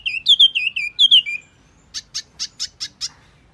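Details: Lure call of a Wambi bird: quick whistled notes with a downward slide, then after a pause six short, harsh, buzzy notes about twice a second.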